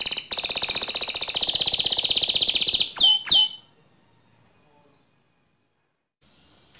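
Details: Canary for training other canaries: a loud rapid rolling trill for about three seconds, two sharp sweeping notes, then near silence with a faint note at the end.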